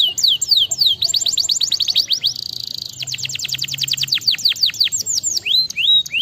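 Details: Canary song made of rapid series of descending whistled notes, a brief buzzy rattle partway through, then slower rising and falling whistles, delivered without pause.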